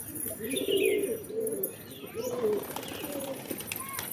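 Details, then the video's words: Pigeons giving low, soft burbling coos in quick succession, with thin higher bird chirps and a few sharp clicks behind them. "Pigeons | Cat Tv For Cats To Watch Birds | Beautiful Birds chirping Sound"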